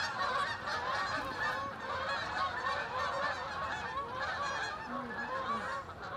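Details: Geese in V formation over Oakland giving continuous nasal honks from many birds together, the chorus fading slightly toward the end.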